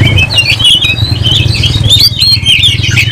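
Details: Oriental magpie-robin singing vigorously and ready to fight, tail spread, agitated: bright whistled and chattering phrases, high and varied, over a steady low engine rumble like an idling motorcycle.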